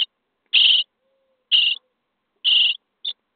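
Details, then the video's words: Common starling nestlings in their nest box on day 23, being fed, give three drawn-out rasping begging calls about a second apart, then a short clipped one. "Szpaki w budce dzień 23 - karmienie piskląt"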